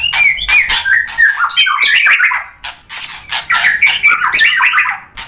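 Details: White-rumped shama in energetic full song used to spur other shamas to reply, a dense stream of rapid chirps, rasps and short slurred whistles packed tightly with barely any pause.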